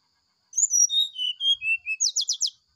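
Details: Sulingan song of a brown-chested jungle flycatcher in the morning, used as a tutor recording. A chain of clear whistles steps downward in pitch, ending in four quick buzzy notes.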